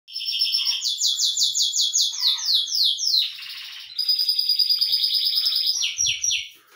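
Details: Belgian canary singing hard while sunbathing: fast, bright rolling trills of rapidly repeated high notes, switching abruptly to a buzzy rattle and then to new, quicker trill phrases.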